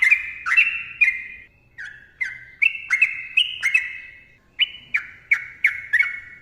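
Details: Sooty-headed bulbul in long, tightly packed ropel song for training other birds: clear liquid whistles, mostly falling or slurred, about a dozen notes with a short gap near one and a half seconds.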